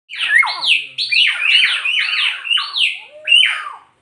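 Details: Nias hill myna, a bird found only on Nias island in North Sumatra, Indonesia, giving loud harsh descending whistles in rapid series, about six strident notes over four seconds, each sliding down from high to lower pitch.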